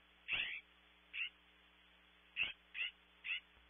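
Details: California scrub jay calling outside a nest cavity on a webcam at Audubon Starr Ranch, California: five harsh, rasping notes, the first loudest, spaced irregularly over about three seconds with a steady low hum behind.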